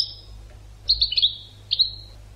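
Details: European goldfinch training song: a thin high whistle, then a short run of quick liquid chirps and a final double twitter, set against faint background hum.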